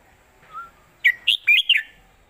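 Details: Red-whiskered bulbul giving an old southern-style Thai master song meant to teach birds; a soft low whistle, then four sharp, rolling whistled notes in quick succession over a quiet background.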